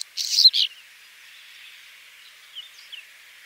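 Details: Whinchat singing one brief, scratchy phrase of quick, high chattering notes and clicks, followed by a few faint, thin notes against a soft, steady hiss.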